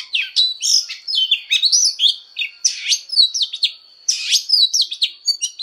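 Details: Oriental magpie-robin voice training with fighting song: phrases of bright whistles and sharp swept notes come in bursts separated by brief gaps, roughly forty phrases a minute.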